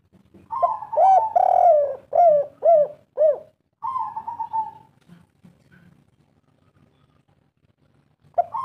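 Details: Local spotted dove in full 'kuk 3' song: a burst of rapid arched coos with a long swelling note, a held level hum, several quiet seconds, then the next phrase begins at the end.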